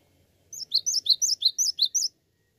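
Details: Gacor song of a cinereous tit (gelatik batu): nine or so quick, bright chirping doublets, high and slurred downward, delivered evenly over about 1.6 seconds with a faint low hum underneath.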